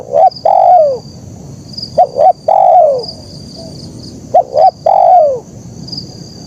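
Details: Zebra dove in "kuk 1" song. Quick paired notes are followed by a drawn-out, descending coo, and the phrase repeats several times. Continuous background noise and a faint high whine accompany it.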